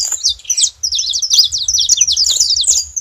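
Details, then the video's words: A loud, continuous rush of high, buzzy chirps and rapid slurred notes from saffron finches together, with a short quiet gap near the start. "Canário da terra junto fazendo barulho"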